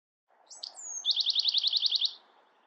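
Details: Bewick's wren song opening with sharp high chips and a sliding whistle, leading into a fast, regular trill of around ten bright buzzy notes.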